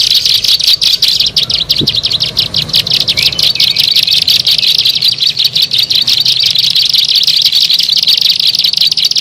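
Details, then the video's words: Bar-winged prinia calls used for luring birds: a continuous stream of sharp, high, buzzy chirps given in rapid succession throughout, with a brief low thump near the start. "SUARA MP3 PIKAT BURUNG CIBLEK SAWAH"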